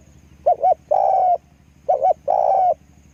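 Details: Two phrases from a spotted dove used as a decoy, each a quick double hoot followed by a longer, slightly upward-gliding coo, with a steady low hum behind.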